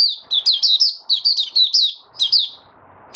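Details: White-eye (mata puteh) in song while steadying its form: rapid, bright, high-pitched chirps strung into warbling phrases, a short pause, then one more note.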